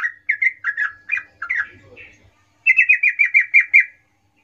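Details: Sooty-headed bulbul 'gacor ngerol' lure song that calls companions: varied warbled, slurred phrases followed by a steady rapid series of about eight ringing notes.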